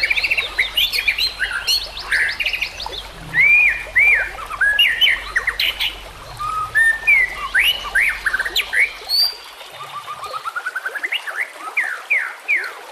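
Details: White-rumped shama song: rapid sequence of loud whistled swoops and upward slurs, some trilled high notes, phrases changing every second or so, over a soft hiss of background ambience.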